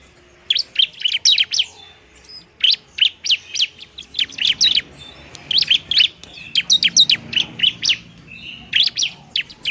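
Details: Bar-winged prinia fighting song, played to lure and stimulate lazy birds: fast, irregular volleys of high chirps, about four notes a second, in bursts with short pauses.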